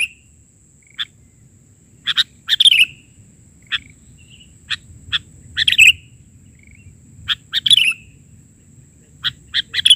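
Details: Persistently singing kutilang (sooty-headed bulbul), isian recording in the bahari style: single sharp chips alternating with short warbled phrases every one to two seconds, against quiet background and a faint steady high tone.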